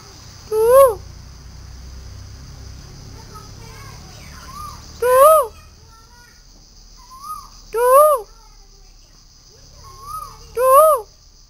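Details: A cuckoo calling at home gives loud, rising whistled notes about every 2.5 seconds, with fainter answering notes between them and a steady high insect hiss.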